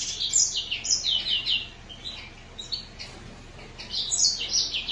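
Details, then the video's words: Green singer finch singing: high, rapid twittering phrases of short chirps and trills, bursts coming in clusters with brief pauses, over a steady background hiss. "السورا الموزنبيقي Green singer finch"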